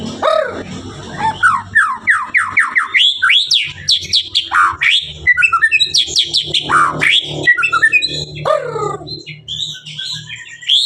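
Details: Extreme song of a Blorok White-rumped shama: a rapid torrent of rising whistled notes in quick series, trills and bright chirps, varied and continuous for about eleven seconds, with a faint low hum behind.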